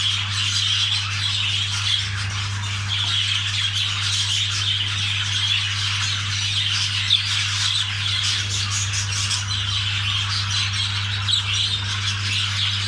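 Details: Long stretch of budgerigar mating chatter: an unbroken mesh of soft high twitters and warbles with occasional sharper squawks, over a constant low electrical hum.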